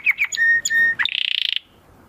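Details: Short burst of domestic canary song recorded as tutoring material for competition birds: a few chirps, two long pure level whistles, then a quick rattling trill.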